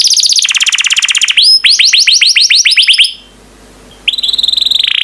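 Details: Yellow canary song opening with a rapid rattling trill, then a quick series of falling whistled sweeps. After a short near-silent pause comes a long, sustained, slightly rising whistle.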